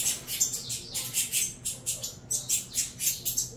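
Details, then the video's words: Saffron finch young being fed give insistent rasping begging squeals, high and hissy, pulsing steadily around three times per second with a quiet low hum behind. "Alimentando canário da terra"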